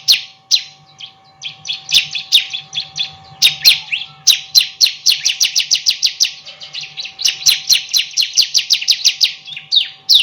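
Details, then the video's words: Bar-winged prinia chirping at length as a training song for other songbirds: bursts of short, bright, high notes in quick runs, separated by brief pauses, with a constant thin hum in the background. "Masteran Burung Ciblek Super Gacor"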